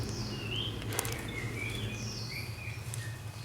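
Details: A fantail kept for a year in a cage gives thin, high, squeaky whistled phrases, some rising and some falling, with a steady low hum and background noise underneath.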